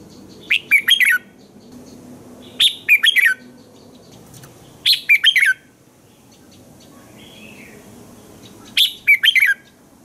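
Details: A red-whiskered bulbul sings in the morning, a recording meant for training other bulbuls: four short chirpy phrases of quick whistled notes at intervals of about two to three seconds, background otherwise quiet.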